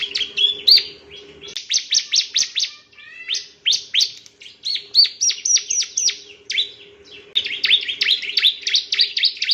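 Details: Bar-winged prinia, a male, singing on a master recording for teaching other birds: long runs of rapid, crisp, high chirps in uneven bursts, with a faint low hum throughout.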